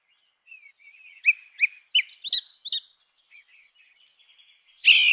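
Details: Grey-winged blackbird giving five short, sharp whistled notes at even spacing of roughly a third of a second, preceded by faint soft whistles, ending with a loud burst of rustling noise.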